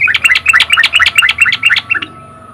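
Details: Sooty-headed bulbul in riwik song meant to prompt other bulbuls into singing: a rapid string of paired, rising then falling whistled chirps, about a dozen in two seconds, loud and close, then fading.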